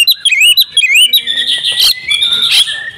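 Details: Female oriental magpie-robin, a kept household bird, singing a rich varied song with imitated phrases: rapid whistled notes, slurred rising and falling phrases and harsh buzzy bursts, sustained without pause.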